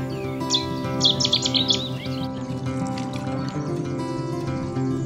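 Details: Cetti's Warbler calling from reedbeds along the River Yare on the Norfolk Broads, heard from a canoe: a sudden burst of sharp, loud, rapidly repeated notes lasting about a second, over steady background music.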